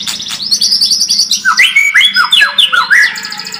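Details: White-rumped shama singing a lure song to toughen a bird's fighting spirit. A high rapid trill gives way to loud looping whistles that rise and fall, with a faint low hum beneath.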